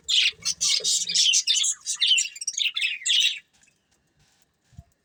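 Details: Budgerigars, a breeding pair, chattering in rapid irregular bursts of high, buzzy chirps for about three seconds, then near silence with one faint low knock.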